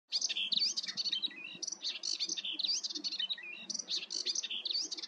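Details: Melodious warbler singing its song: a rapid, chattering warble of varied bright notes, slurred whistles and buzzy phrases, run together almost without pause, with a faint low murmur beneath.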